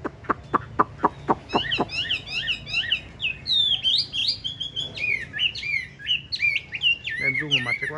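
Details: Tame caged Chinese hwamei with yellow legs and yellow bill: a run of sharp clicks, then loud, varied whistled phrases with rapid up-and-down slurs and ringing repeated notes, with a faint man's voice underneath.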